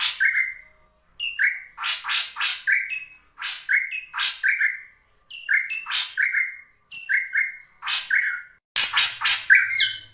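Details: Ashy drongo (Dicrurus leucophaeus) singing energetically in quick bursts, mixing harsh, scratchy chatter with clear mid-pitched whistles, a new phrase about every second, faint hum near the end; used as a lure call for other birds.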